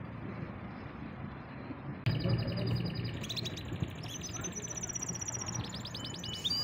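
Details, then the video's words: Canary, described as a champion singer, in a rapid trilled and whistled song starting after two seconds of low background hum, with fast repeated high notes and buzzy rolls over steady low rumble. "Awesome singing canary / champion bird"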